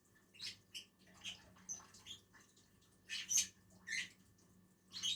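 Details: Lovebirds, two of them, eating on a tree, utter harsh high-pitched chirps spaced unevenly, some louder and rasping, over a soft constant hum.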